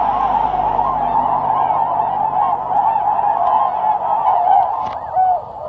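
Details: Tundra swans, part of a flock of over a hundred leaving Lake Biwa, Japan, for the north on a calm March morning, calling while lifting off; a thick chorus of overlapping nasal honks, with a few clearer individual notes toward the end.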